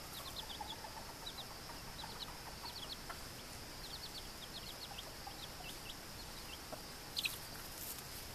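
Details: Australorp hen with four chicks, two Buckeyes and two Old English/Australorp crosses, on their first day out while she teaches them to find food. Rapid, thin, high peeps come in scattered bursts, with occasional soft lower clucks over a steady hiss.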